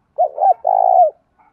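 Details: Spotted dove decoy bird calling to lure wild birds: a low, hollow cooing phrase, two quick arched notes running into one longer, steady coo that ends with a slight downward slur, in a quiet background.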